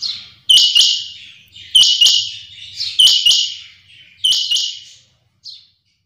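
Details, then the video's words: Female rain quail calling in the morning: loud, sharp, high double-noted calls repeated about every 1.2 seconds, four times, then a brief soft note. "Suba ky time py chinga ki awaz/Quail sound"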